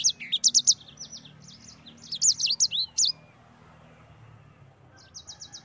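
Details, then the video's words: Yellow-fronted Canary (sanger) in ngerol song. Bursts of high, rapid whistled notes and short trills are separated by quieter gaps, with a faint last phrase near the end over a soft low background hum. "Suara Burung Sanger EDEL SANGER NGEROL"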